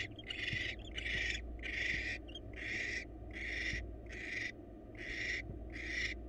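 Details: ['Wild barn owl in a research-monitored nest box, male bringing the female a mouse; eight evenly spaced, drawn-out harsh hisses, each about half a second, repeated roughly every three-quarters of a second.']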